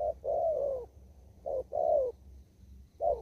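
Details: Spotted dove, wild, from an upland field in Kon Tum, Vietnam: a short note and a long warm coo that falls at the end, repeated, in the đồng thúc gù cooing style.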